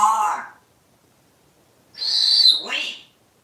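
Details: Indoor pet parrot imitating speech while fussing over its plush parrot toy: a brief voiced syllable, then a longer strained, nasal phrase that slides downward, in a quiet room.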